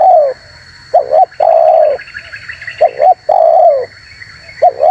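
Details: Spotted dove lure call for attracting wild doves, which react angrily to it. Rapid two-note pickups each lead into an extended coo that slides downward. Several phrases follow close together over a soft hiss.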